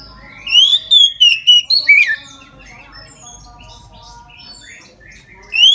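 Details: Oriental magpie-robin belting out its midday song, meant to encourage other magpie-robins to sing: a rapid series of six loud whistled notes, then low, soft twittering and a final rising whistle.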